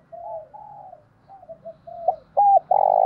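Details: Spotted dove kept as a decoy, singing 'thổ đồng' style to lure wild doves. Quiet wavering coos lead into a sharp note, an arched coo and a loud sustained rolled coo cut off at the end.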